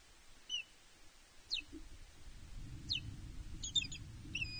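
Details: Ospreys at Loch Arkaig Nest One, Scotland, on 31 May 2023, a pair on the nest as a third osprey intrudes and the male turns defensive. Short, high, descending chirps, spaced about a second apart, then quicker clustered notes, over low rumble.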